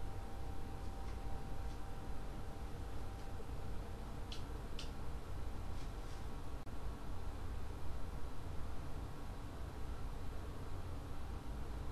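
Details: Steady low room hum with a few faint clicks or taps, and no clear bird calls.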